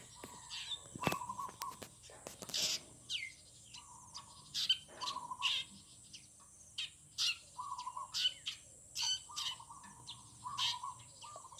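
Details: Morning birdsong in a garden: several birds trade bright, high chirps and short downward-sweeping notes. Between them comes a steady run of low, fluttering warbled phrases, repeated roughly every second with short gaps.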